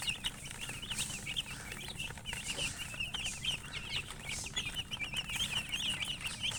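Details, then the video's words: Chickens chirping in a dense, continuous chorus of short, high, rapidly repeated peeps that overlap one another throughout, with a low steady hum underneath. "silly chicken chirping sounds with murgi hen color chicken"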